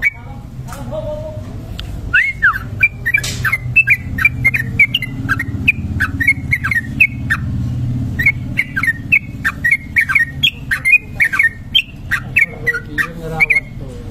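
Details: Extended ropel song of a trucuk kebo bulbul used as a lure recording: a fast, steady stream of sharp whistled chirps, several per second, over a constant low rumble.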